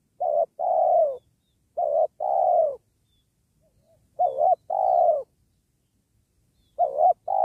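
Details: Lure spotted dove cooing during trapping beside a sacred tree, delivering closely spaced phrases of a quick quavering note followed by a fuller, longer coo, four phrases in quick succession.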